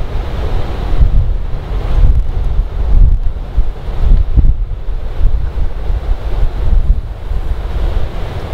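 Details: Strong wind buffeting the microphone over rolling surf on a Hawaiian shore, with no animal calls heard.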